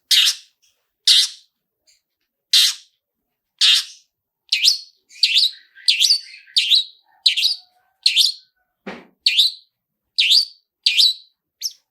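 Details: Long-tailed shrike prompting sound with the "toet toet" pattern used to trigger singing: sharp harsh chirps repeated about once a second, later notes with quick falling inflections, one brief lower rasp near the end.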